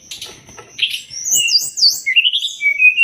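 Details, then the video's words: Sumatran leafbird song used as a training master for songbirds: sweeping high whistles and wavy rising-falling notes, fast chirps at the start, a clear upward slur near the end. "Masteran burung SRDC biar cepat gacor"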